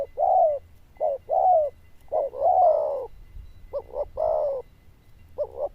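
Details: Zebra dove with a loud bell-toned voice: mellow rolling coos interspersed with short double notes, repeated in a close series over low hum and a faint steady tone.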